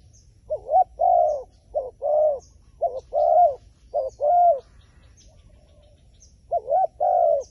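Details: Wild pigeon, described as wary of a phone camera, giving loud cooing: short bowed notes around one pitch in quick bursts of two or three, a pause near the middle, then another burst, over quiet ground hiss.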